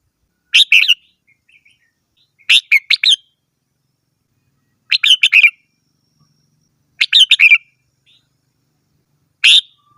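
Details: Red-whiskered bulbul singing: short bursts of two to four loud, bright whistled notes around the upper-middle range, each burst repeated every two to three seconds against a silent background.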